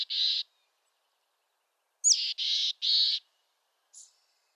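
A mountain chickadee gives hoarse, buzzy dee notes: one alone, then a high chip and three raspy dees in a row, with a faint high note at the end.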